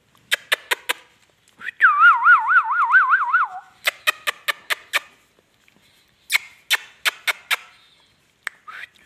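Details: Indian ringneck parakeet talking: sharp clicking squawks, then a wavering whistled trill that warbles up and down for about two seconds, followed by more rapid harsh clicks.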